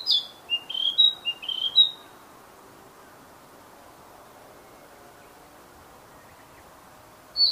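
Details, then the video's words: Wild Narcissus flycatcher giving a lively burst of clear, high whistled notes that alternate up and down for about two seconds, then a long quiet stretch before another note begins. "Sikatan Narsis Trotol Gacor Di Alam Liar"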